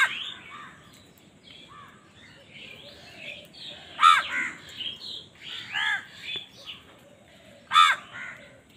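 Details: Crows battling for food keep up faint, scattered cawing, broken by a few louder hoarse caws mid-way and near the end.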